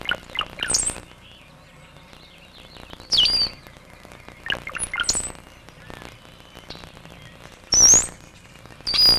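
Brown-headed Cowbird giving low liquid gurgles that end in thin, very high slurred whistles, phrases coming every few seconds with faint chips between.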